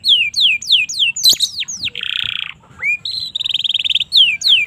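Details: Indonesian domestic canary tutor song for young birds: repeated downslurred whistles, a harsh buzzy roll, a brief gap, then a bright rapid pulsed trill and more falling whistles.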